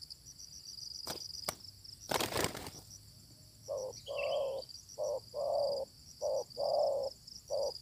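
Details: A fierce wild spotted dove meets a decoy during luring. Sharp clattering knocks and rustling come first, then a series of mellow coos in short-long pairs. Constant high insect whine sits behind.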